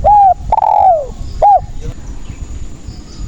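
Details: Spotted dove singing, recorded to lure and trap other doves. One phrase of three coos is heard: a short coo, a longer coo that slides downward, then a brief closing note, followed by quiet rustling.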